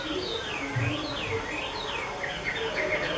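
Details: Chinese hwamei of the 'mơ' type, kept by an artisan keeper, singing a fairly faint run of looping whistles that swoop down and up repeatedly, over a low rumbling background.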